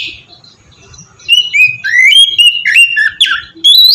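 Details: Oriental magpie-robin singing melodiously in the ngeplong style, a lure for other magpie-robins: after a brief lull, a loud flowing sequence of clear, slurred whistles that rises and falls, ending in a high sharp note.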